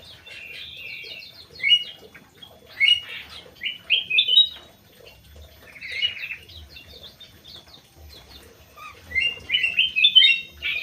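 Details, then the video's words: Crewet bird song of fast, high chattering chirps in clustered bursts, with downslurred and upslurred notes repeated in short runs and brief gaps between phrases. "BURUNG CREWET"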